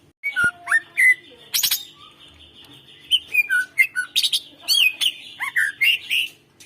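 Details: Greater green leafbird singing to prompt birds that seldom call, a busy string of fluty whistles, upslurred chirps and sharp ticks over a steady high whistled tone.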